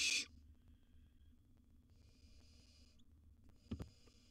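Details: Wild barn owl in a monitored nest box at feeding time, with a gerbil as prey. A loud, brief breathy hiss opens the recording, then softer airy hissing bursts follow around two and four seconds over quiet low background rumble.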